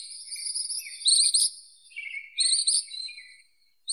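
Ashy minivet giving high, metallic jingling trills in bursts about a second long, each with a slightly falling, tinkling ripple. No other sounds stand out.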